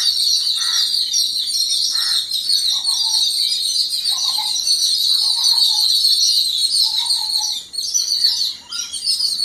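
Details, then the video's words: A group of yellow-billed babblers uniting in alarm at an unseen threat, giving scratchy, nasal chattering calls in separate bursts about a second apart. A constant shrill insect buzz fills the background. "Yellow-billed Babblers reaction against un-identified threat - සතුරෙක් හමුවේ දෙමලිච්චන්ගේ එකමුතුව"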